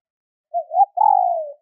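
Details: A single female spotted dove call used to excite males. A brief wavering two-part note leads into one long, smooth coo that drops gently in pitch. The background is silent.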